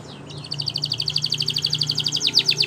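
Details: Spanish Timbrado canary training song: a fast, even trill of high metallic notes, about ten per second, rising slightly in pitch, ending in a few slower down-slurred notes over a low steady hum.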